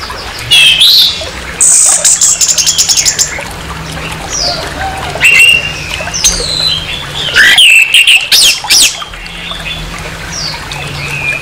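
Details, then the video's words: Orange-headed thrush harsh song used to raise aggression in another orange-headed thrush: varied whistled slurs, rapid stuttering bursts of high notes and scratchy phrases, repeated in several loud bouts over background hiss. "SUARA KASAR ANIS MERAH, PANCINGAN NAIKAN EMOSI ANIS MERAH"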